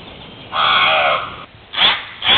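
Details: Hawaiian crow, extinct in the wild, uttering one long hoarse nasal caw lasting about a second, followed by two short rasping caws in quick succession.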